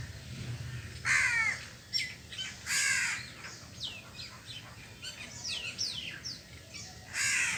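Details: Harsh crow caws come while it eats cooked food and grains, three strong ones spread across several seconds, with quicker chirps and twitters from other birds in between.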